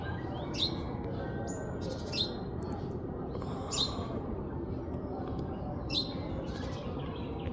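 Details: Chirping from a baby parrot: four sharp, downward-slurred high notes roughly every one and a half to two seconds, with a brief level whistle early on, over a continuous low hum.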